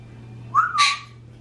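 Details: Pet parrot indoors, from an African grey aged 26 and a Quaker parrot aged 16 left alone: one clear rising whistle that slides into a harsh noisy burst, over a quiet steady hum.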